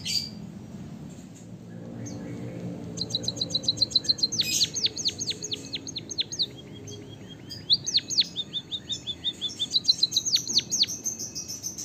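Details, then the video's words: White-headed Javanese munia with canary-filled rolling song: after a quiet start, rapid high trills lead into a run of steep falling whistles, then a lower buzzy rattle and further fast trills and sweeps. "suara burung emprit peking bondol kaji gacor isian kenari ngeroll panjang untuk masteran"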